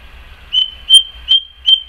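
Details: Song thrush singing in the garden in May, 12 May 2014: four clipped, high, whistled notes at the same pitch, spaced evenly about a third of a second apart.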